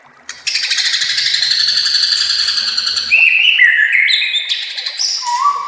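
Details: Master song of a white-rumped shama used to train other shamas: a long buzzy, rattling phrase giving way to descending whistled notes and a final low whistle.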